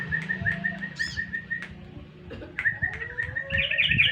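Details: Yellow-vented bulbul lure song: quick strings of clear chirped notes, pausing briefly, then resuming with a brighter twittering burst at the end, over low rumbling background noise.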